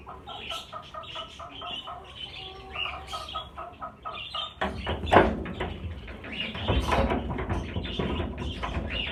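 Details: A caged flock of about fifty budgerigars, being shifted to a bigger flight cage, gives rapid repeated chirps in a fast series, then louder harsh squawks and broadband clattering from the second half onward.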